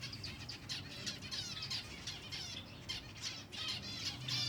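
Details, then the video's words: Silver Java sparrows at feeding time: a busy, overlapping run of short high chirping notes, several each second, with fluttering wingbeats throughout. "finches feeding time (silver java birds)"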